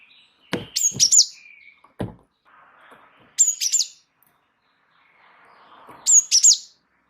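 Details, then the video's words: Vigorous rolling song of a wingko Java sparrow: clicking, high ringing chirp phrases repeated roughly every two and a half seconds, mixed with low taps and soft warbling between them. "gelatik wingko gacor ngeroll pancing bunyi suara masteran burung gelatik"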